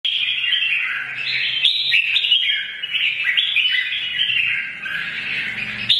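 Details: Wild-caught mature red-whiskered bulbul giving its morning song and fighting song, used to stir other birds into singing and combat; a continuous, rich warbling stream of whistled, chattering notes that rise and fall without pause for six seconds.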